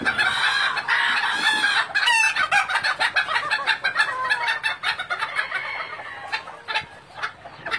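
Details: Breeding Thai bantam chickens at an ornamental poultry farm in Vietnam; a flock chorus of overlapping crows and rapid clucking, harsh broadband calls crowding the scene with short sharp notes repeating about twice a second.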